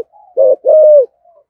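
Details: Spotted dove, 'giọng thổ' deep-voiced 'thúc gù' cooing: a brief phrase of a short low coo followed by a longer sustained coo that falls at the end.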